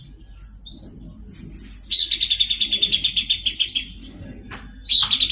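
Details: Horsfield's babbler in lively song: brief high slurred whistles, then an extended chattering series of rapid buzzy pulses, steady in pitch, ending in a fresh burst.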